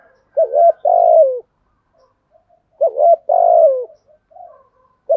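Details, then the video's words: Spotted dove in decoy training, cooing to stimulate wild doves. Mellow phrases repeat roughly every two and a half seconds, each a brief wavering double note and then a drawn-out, smoothly descending coo, with quiet low murmurs between phrases. "chim cu gáy thúc gù + gáy gọi bài bản"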